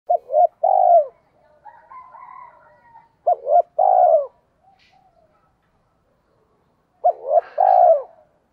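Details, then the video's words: Spotted dove decoy call in the 'giọng thổ' voice style, used to stir trained doves into calling quickly: three low, hollow two-part coos, a short stuttered note then a longer falling croon, roughly every three seconds, with faint twittering behind. "tiếng cu gáy mồi, tieng cu gay kich boi nhanh noi hieu qua nhat"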